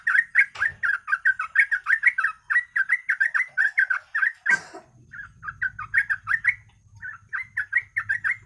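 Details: Yellow-vented bulbul singing fast, unbroken ropel song as a lure for other birds: repeated bubbling, gurgled notes, a sudden noisy burst midway, then looser chattering phrases over a low hum.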